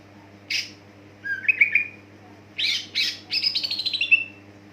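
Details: Greater green leafbird singing to trigger other leafbirds: a harsh burst, a whistled slurred phrase, then rasping notes and a fast descending chattering trill, with a low mechanical hum behind.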